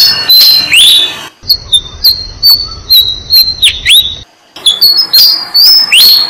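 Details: Six-day-old Malaysian pied fantail nestlings being fed by their parents in a jam tree: sharp, high whistled notes, several sweeping down then up, come in quick separate bursts with short silent gaps.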